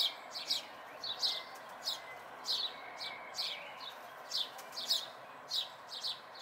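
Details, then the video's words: Local house sparrow fledglings in May 2020: a run of sharp, downward-slurred chirps, paired or single, roughly every half second, with faint steady background noise. "House Sparrow Fledglings"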